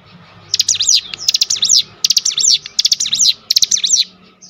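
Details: Cinereous tit singing on a lure recording meant to excite other tits: five rapid phrases of sharp clicks blended with high swooping whistled notes, delivered almost back to back.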